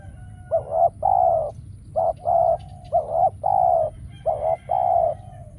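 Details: Decoy spotted dove calling during trapping; soft cooing phrases each made of a brief doubled note and a longer sustained coo, repeated about four times in quick succession, with faint high chirps from other birds in the background.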